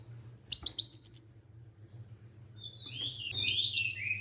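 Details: Olive-backed sunbird song for stimulating other sunbirds, from Indonesian songbird keeping: a quick series of high, bright notes, a quiet pause, then a second run of notes and lower slurred notes, over a faint low hum.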